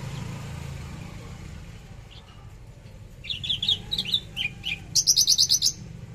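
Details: Javan bush lark giving a fierce 'trotol tembakan' style song: a quiet start, then high sharp chirps and short twittering trills from about three seconds, ending in a fast burst of repeated piercing notes over a steady low rumbling hum.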